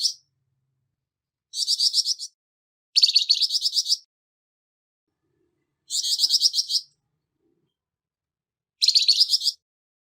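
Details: Harsh Flamboyan bird voice for training songbirds: five rasping, fast-pulsed high bursts under a second each, irregularly spaced with clean silence between them.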